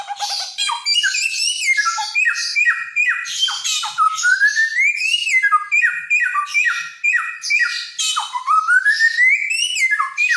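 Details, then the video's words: Helmeted friarbird of Nusa Tenggara, a loud, clever songbird said to copy countless sounds, pouring out continuous song: short downslurred whistles in quick runs, broken by long rising glides and rasping overtones. "Burung samyong gacor"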